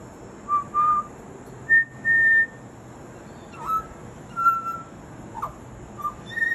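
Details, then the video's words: Butcherbird mimicking, giving clear, pure whistled notes spaced apart: short level whistles, a few slurred upward notes and longer held tones, with pauses of about a second between phrases. "Butcher Bird Mimicking"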